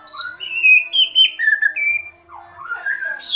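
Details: Agitated kretekan sequence from a White-rumped shama: clear, loud whistled notes at several pitches run together, then a short pause and a quieter rising, wavering phrase.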